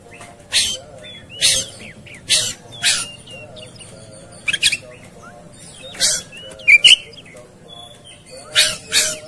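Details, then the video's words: Fighting Oriental magpie-robin uttering evenly spaced harsh scratchy bursts about once a second, with only a few faint whistled notes between them. "Segala Kacer Ikut Ngamuk Tarung"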